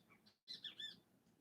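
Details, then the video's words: Great kiskadees in Costa Rica, right at a window raiding berries from bird-of-paradise plants: a quick burst of three loud, harsh, shrill notes within half a second, rising and falling sharply, after a brief pause. "you hear that? Those are great kiskadees. They're right there, right in the window"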